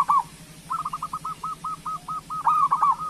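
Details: Local zebra dove song used to prompt other doves into singing: a string of soft, evenly repeated low coos, with a louder rolling phrase at the start and end, over a steady low hum.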